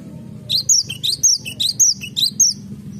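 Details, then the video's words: Cinereous tit singing in a garden: a quick run of about ten high, thin whistled notes, some sliding and some dropping lower, delivered in pairs over a low background hum. "BURUNG GELATIK BATU SUARA IMUT DI KEBUN"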